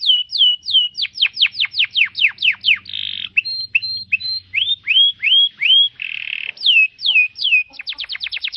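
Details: Canary tutoring song for cage birds, varied and loud: rapid descending whistles, a harsh buzzy burst, rising slurred notes, another rasping buzz, then a fast closing series of short sharp chips.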